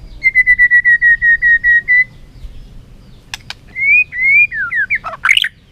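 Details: A white-rumped shama flicks its tail while singing competitively. About ten evenly spaced whistled notes sit on one pitch, then rising slurred phrases end in a rough, scratchy flourish.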